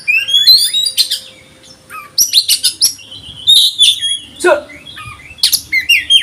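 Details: Konslet-style Oriental magpie-robin song, said to stir other birds to agitation: quick varied whistles, upslurs and clipped chirps in dense phrases, with one low descending note near the middle and faint background hum.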